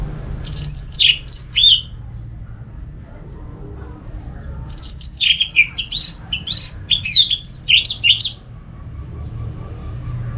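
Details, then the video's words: Song of an orange-headed thrush, used as sound therapy to get other thrushes singing: two bursts of rich, varied high whistles, trills and sharp notes, about four seconds apart, over a soft low rumble. "Suara burung ANIS MERAH ini ampuh bikin ANIS Jenis apapun ikut bunyi"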